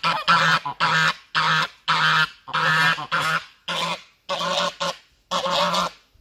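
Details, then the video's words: Goose hissing as it attacks the person filming in self-defence; loud rasping hiss bursts, about nine of them, each roughly half a second long, with a low buzzy undertone and short gaps between. "Goose hissing and attack me"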